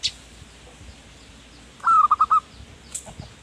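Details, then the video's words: Zebra dove singing as a lure for wild birds: one short phrase of a long opening note and three rapid cooing notes, amid a quiet background with a faint high chirp. "Perkutut Manggung Gacor Pas Buat Pancingan Burung Hutan"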